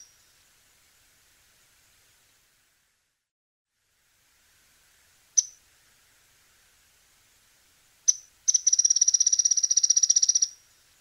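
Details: Mouse-colored Tyrannulet in Argentina: two sharp, high single notes a few seconds apart, then a fast, even chatter of about twenty high notes over two seconds. Faint hiss behind.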